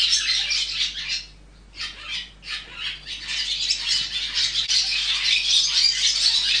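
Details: Barn swallow chicks in their nest during rearing, shrieking high chirps in rapid bursts, with a brief lull before the chorus resumes at full strength.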